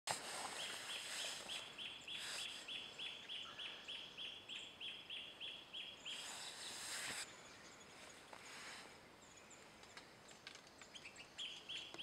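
Himalayan cutia giving a fast run of sharp, high chipping notes, about three per second, resuming briefly near the end; bursts of wind or rustling noise interrupt.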